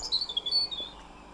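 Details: European robin (Erithacus rubecula) territorial song, telling other robins to keep away, defended almost all year: a quick run of thin, high, warbling notes that dip and rise, then fade, over faint low background noise.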